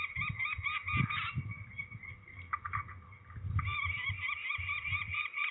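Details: Peregrine falcon during ringing at Trzebież, Poland, on 13 May 2019: harsh, nasal calls run almost continuously, with brief breaks and bursts of loud notes, over low thumping and rumbling handling noise.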